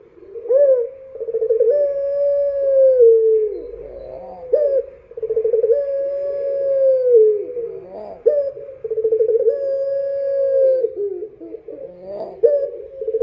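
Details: Dove song recorded at night: three back-to-back cooing phrases, each a fluttering pulsed start leading into a drawn-out steady low note that slides slightly downward, with faint low rumble beneath.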